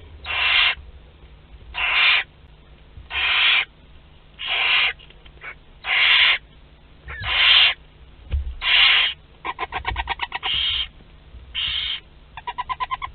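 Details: At a group meal of barn owl chicks aged two to twelve days, Théding, France, April 29, 2021: a steady series of rasping hissed screeches about every 1.3 seconds, later mixed with fast ticking chatter bursts.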